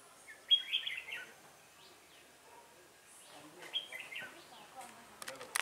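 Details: Red-whiskered bulbul recorded during trapping with a decoy bird on 1 October 2018: two loud, lively whistled phrases with a sharp opening note, a few seconds apart, ending in clicking handling noises.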